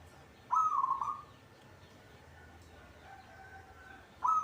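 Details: Caged local zebra dove kept as a songbird, singing actively: a trilled, stuttering coo phrase that starts high, then wavers in short pulses for about three-quarters of a second. A second phrase begins at the very end. Background is quiet.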